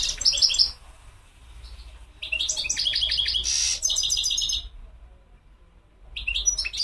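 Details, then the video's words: European goldfinch twittering song in several loud bursts of high, jingling notes and buzzy trills, separated by short silences. "تغريد الحسون مقنين"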